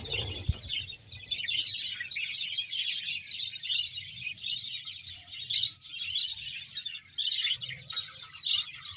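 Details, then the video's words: Roughly a hundred pairs of budgerigars in a colony at Bahawalpur keep up a continuous, crowded chorus of high chattering, squeaks and warbles, a low thud at the very start and a gentle low hum throughout. "budges sound"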